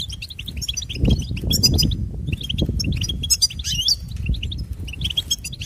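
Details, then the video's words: Goldfinch song: a fast, continuous jumble of bright, high twitters and tinkling notes, with a steady low rumble of wind beneath. "Goldfinch Serenade"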